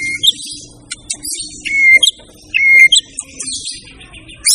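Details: White-rumped shama song of loud, pure whistles that slide downward, alternating with short sharp upslurred notes and thin high twittering between phrases.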